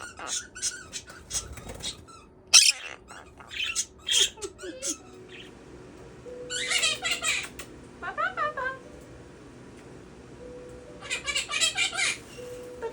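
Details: Male Quaker parrot (monk parakeet) kept as a pet, chattering indoors: scattered buzzy squawks and scratchy mimicked syllables in short clusters separated by quiet gaps, with a faint steady hum in the room.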